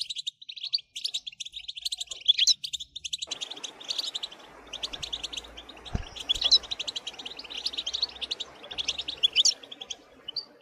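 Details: European goldfinch song in the chattering style called bitbita, played to excite goldfinches into nonstop singing: dense, rapid high twittering with sharp chirps and short buzzy trills running without pause, over a faint low background hum.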